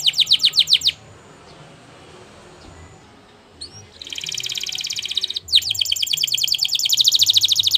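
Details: Training song from a canary, possibly Spanish Timbrado style: a short burst of fast sweeps, about three seconds of near silence, then long dense buzzy trills with a brief break between them.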